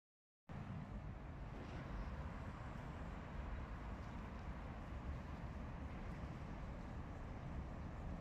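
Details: Steady low rumbling like distant traffic or engines fills the recording after a brief silent start, with no animal voices.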